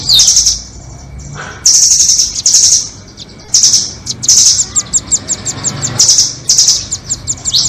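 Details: Lure recording for catching nuthatches, doraemon and red-billed types: high piercing trilled bursts broken by quick runs of separate ticking notes, four loud trills spread across the clip over a faint background hiss.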